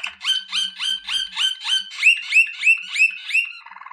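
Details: Waterslager (Malinois) canary training song: a series of about a dozen swooping upward-slurred whistled notes, roughly three a second, ending in a soft fast rattle.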